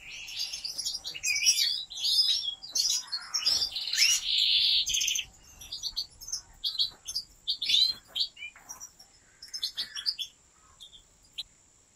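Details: European goldfinch bred by professional breeders from one of the biggest bloodlines pours out a rapid, bright, twittering song with buzzy rasping notes, loud at first, then breaking into sparser chirps and thinning toward the end.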